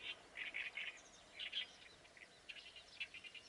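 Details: Harsh, croaking chatter of an Oriental reed warbler, given in quick clusters of rasping notes separated by brief pauses, with faint background hiss.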